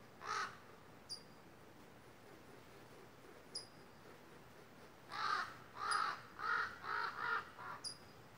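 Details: Noisy crows among misty redwoods, raising a commotion over a hawk in the trees, let out one caw and then a run of five or six raspy caws in quick succession, wind chimes tinkling high above.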